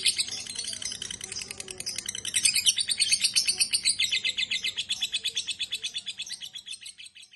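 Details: Long lovebird ngekek, a quick rattle of sharp, high notes that strengthens midway and then slowly tapers away, with a faint hum in the background.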